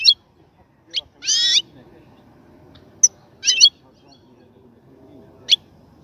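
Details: European goldfinch in a cage being prepared for mating, giving scattered short, nasal, buzzy calls and single sharp notes with quiet gaps, over a low steady hum.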